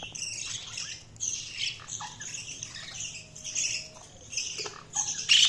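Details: Budgies giving busy, high-pitched chirps and harsh squawky notes in overlapping bursts, with a louder scratchy burst near the end; a faint thin whistle runs briefly in the middle.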